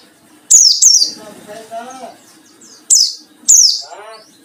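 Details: White-eye song meant to provoke rivals: loud high downslurred notes in pairs, with a low murmuring background sound between phrases.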